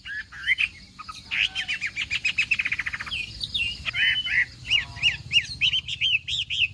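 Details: Chinese hwamei singing in the morning during singing practice and contest; loud, varied whistled phrases, a fast run of repeated clipped notes midway, then rising and falling slurred whistles repeated in quick succession.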